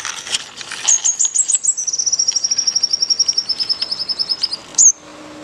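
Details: Birds chirping in Goa, India: a rapid series of high, thin chirps repeated about eight times a second for nearly four seconds, ending with one sharp higher note, with fainter chirps at the start.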